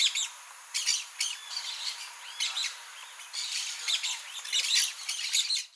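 Blaze-winged parakeets giving harsh, screechy chattering calls in quick irregular bursts, several birds overlapping, with a steady high hiss behind.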